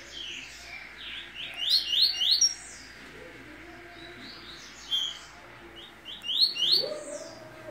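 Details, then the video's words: Double-collared seedeater of the Família Sertão line, coming out of moult: bursts of quick, sharp, rising chirps, high and bright, at around two and six seconds, quiet between phrases. "COLEIRO SEDEX SAINDO DE MUDA PASSANDO 18 DA FAMÍLIA SERTÃO"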